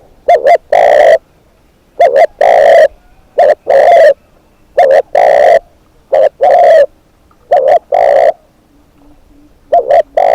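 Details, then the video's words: Low, resonant cooing from a decoy spotted dove, phrases of two short notes and a long sustained coo repeated about every two seconds, regular and clean against a quiet background. "เสียงนกเขาใหญ่ นกต่อ"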